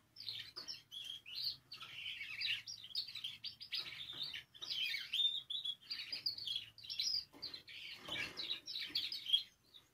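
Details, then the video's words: Singing canary for stimulating canaries to sing, quiet and continuous: dense warbled phrases of high chirps and rolling notes, rising and falling in loudness, with a faint low hum underneath. "Canario Cantando. (Ideal para ESTIMULAR canto de canarios)"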